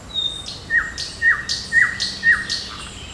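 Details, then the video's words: A bird calls on a June 8 morning in a park and forest: a short whistle, then four sharp, downslurred notes about half a second apart, each followed by a higher squeaky chirp. "Пение птиц утром в парке и в лесу"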